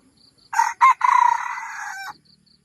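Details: Red junglefowl crow used as a lure for wild birds in Thailand: two short harsh opening notes, then a long drawn-out raspy syllable lasting about a second, over faint pulsing insect background.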